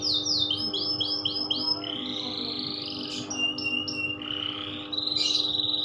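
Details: Canary loper song: a string of rapid downward-sweeping notes, then drawn-out buzzy whistles and a bright high trill at the end, over a low constant hum.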